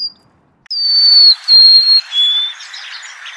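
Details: Loud whistled song of a golden-crowned sparrow: a sustained high note dropping in three plaintive steps, with a hissy rustling background toward the end.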